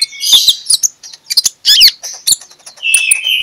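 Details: Magpie-robin song in the ngeplong style, played in the morning as a lure so other magpie-robins start singing: dense jumbled whistles and harsh chattering notes, then a steady whistled tone at the end.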